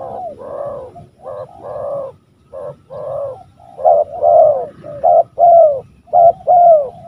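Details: A spotted dove, apparently a male used as a decoy to lure wild doves at a lively field site, gives deep, hoarse coos in a rolling run of short phrases, with a faint low rumble underneath.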